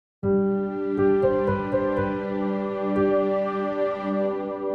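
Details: Soft, sustained instrumental music plays throughout, with no animal sound heard.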